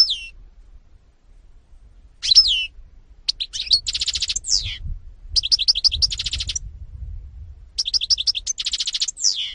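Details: European goldfinch (Carduelis carduelis), 2018 recording: high tinkling twitters alternate with buzzy, rapidly pulsed trills, the phrases coming in three main bouts separated by brief silences.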